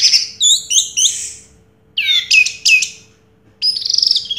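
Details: Orange-headed thrush, a 2022 champion songster, opens with quick descending whistles, pauses, then gives loud looping slurred notes and a final rapid buzzy trill.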